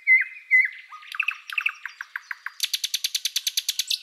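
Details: Thrush Nightingale singing two loud whistled notes, a stuttering run of paired chuckles, then a fast dry rattle of about fifteen even strokes closing the phrase.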